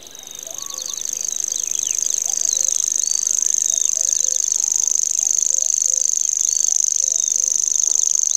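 A Grasshopper Warbler reels a high, dry, insect-like trill without a break, with soft whistles and chirps from other birds in the background.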